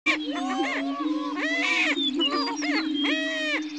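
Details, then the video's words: Several state-endangered greater prairie-chickens on a lek at Dunn Ranch Prairie, Hatfield, Missouri, boom in a steady, low, hollow drone, overlaid by rising and falling whooping cackles and whines. "The Sounds of the Greater Prairie-Chicken"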